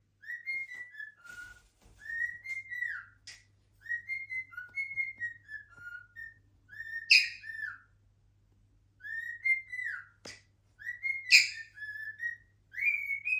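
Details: A pet cockatiel sings, whistling a lively song of rising and falling phrases broken by sharp clicks, with an 8-month-old Alexandrine parakeet nearby.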